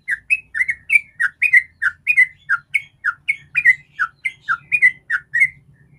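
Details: Lure song of a sooty-headed bulbul in 'ropel' style, for coaxing other bulbuls into song: an even, steady string of about twenty-five bright chirping whistles, some falling, some rising, over a faint low hum.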